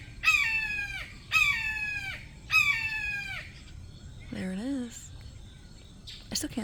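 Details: A shy wild red-shouldered hawk (Buteo lineatus) visiting a captive hawk's pen gives three loud, ringing, down-slurred 'kee-ah' screams about a second apart, seemingly calling at her from right above; brief low human voice and faint click.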